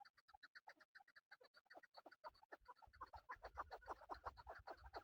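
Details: Male chukar partridge, kept for hunting, calls in a fast run of sharp, harmonic chuck notes, a few each second, starting sparse and then crowding into a quicker, louder rattle over a light low hum.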